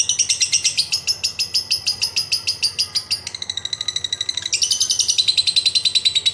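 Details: Long lovebird ngekek trill to prompt other birds to sing, continuous quick grating pulses with pitch jumps, lasting the whole stretch.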